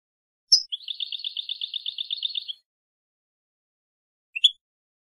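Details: European goldfinch tutor recording for teaching young birds: a sharp high note opens a steady, rapid trill of evenly repeated buzzy notes lasting nearly two seconds, with a single short chirp after a long silence.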